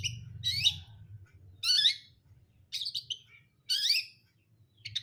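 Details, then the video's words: Long-tailed shrike, a cendet brundol, delivering strident grating phrases, each a rasping, sweeping burst. About five come roughly a second apart, with faint twittering between them and a low rumble underneath. "KICAUAN CENDET BRUNDOL"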